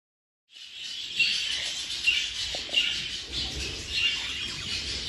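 A budgerigar chatters in a steady, scratchy stream of high warbles with brief clear chirps.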